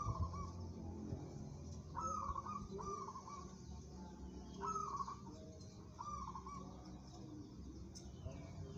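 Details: Zebra dove of a local strain, kept for song contests, repeating rolling, bubbly coo phrases in small clusters separated by short pauses, with steady low background hum beneath.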